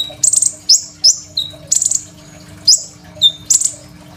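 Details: Phone recording of a lively Crimson sunbird singing a fill-in-rich song used to tutor young birds: scattered, very high, thin chirps and brief buzzy trills separated by short pauses, light background hum.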